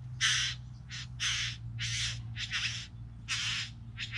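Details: A trio of bowerbirds calls with coarse, hissing rasps, each about a third of a second, repeated in an uneven series with a low steady drone underneath.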